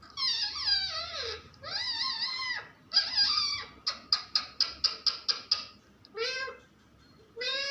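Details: Pet parrot in talking mode: three long, loud, harsh wavering phrases, then a fast run of about eight clipped, evenly spaced notes, and two last squawky calls.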